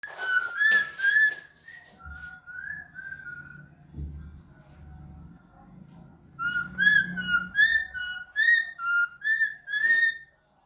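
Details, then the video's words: Pet talking parrot making various sounds: clear whistled notes in short wavering phrases, a quiet middle stretch with low background hum, then a series of bright rising and falling whistles. "Talking parrot piu makes various sounds"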